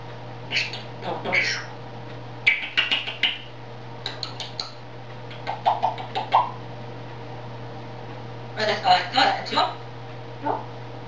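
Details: A pet grey parrot talking in Czech chatters in short speech-like bursts and whistled syllables, clustered in quick groups with pauses, over a steady indoor hum.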